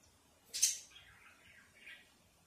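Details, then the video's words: Robin hanging out in a backyard on a June 2024 evening. One sharp, high, bright chirp, then soft descending twittery notes and a final short chirp, in a quiet setting. "A Robin Hanging Out in the Backyard and Tweeted During the Evening of June 2024"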